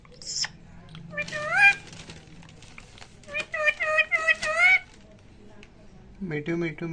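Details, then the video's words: Indian ringneck parakeets talking to each other in Hindi, a pet pair: harmonic, speech-like phrases with rising and falling tones in two bursts, a short high squeak at the start, and a person's voice at the end. "Adorably Talking Ringneck Parrot With Each Other In Hindi"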